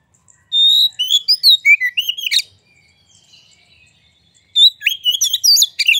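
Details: White-rumped shama singing as a provocation lure for other birds: two bursts of rich whistled phrases, each starting with a held whistle and running into fast varied notes with a harsh ending, a quiet pause between.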